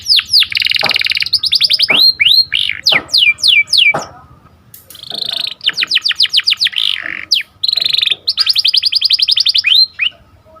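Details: Breeding-lure canary song, cuit cuit and sharp rolling style: long stretches of rapid pulsed trills broken by descending whistled swoops, a short pause midway, then more fast rolling trills.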